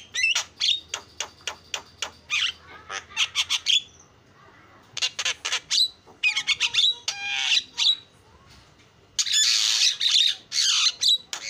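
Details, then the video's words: Javan myna in full 'gacor' song with 'isian' fill-in material, used for training other birds: rattling series of dry clicks, harsh squawks and noisy bursts broken by short pauses, with occasional pure whistled notes. "JALAK KEBO SUPER GACOR SUARA ISIAN"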